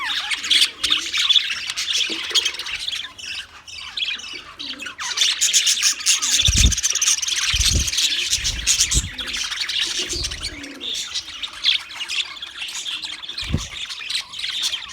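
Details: Budgerigars in an aviary setup on 3 March 2024 chatter continuously with bright warbles, squawks and chirps, punctuated by a few low thumps.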